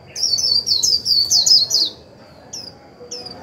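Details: Japanese white-eye decoy pouring out its 'líu' song to excite wild birds: a rapid, bright run of high, slurred notes lasting nearly two seconds, then two lone faint chirps afterwards.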